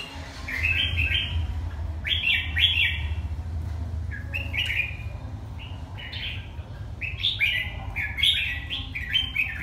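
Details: Red-whiskered bulbul from Hà Tĩnh, Vietnam, singing bright whistled phrases in short bursts of quick warbling notes, with a steady low hum behind it.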